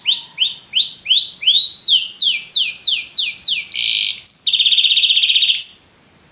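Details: Canary song shifting through phrases: a few low-starting rising notes, then a series of high falling sweeps, a short buzzy rattle, and a fast even trill before ending on a rising note.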